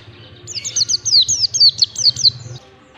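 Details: Ngalas-style white-eye song, a training sound for birds: a rapid, continuous run of thin, high descending whistles and twittering notes lasting about two seconds, over a faint low background hum.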